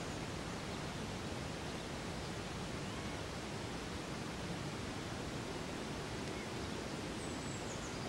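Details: Steady broadband rushing noise, like running water or wind, fills the whole recording, with no animal calls heard.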